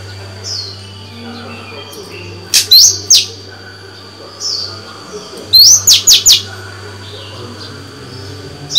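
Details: Female white-rumped shama singing to stimulate males, a caged bird: a rising whistled upsweep followed by a quick series of three or four sharp, high descending notes, phrases about three seconds apart, with soft faint whistles between.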